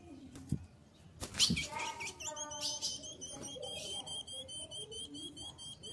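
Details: Female ultramarine grosbeak (azulão), kept by a keeper, soliciting mating: after a burst of wing flutter, she gives a fast, evenly repeated series of short, high chip notes, steady for several seconds.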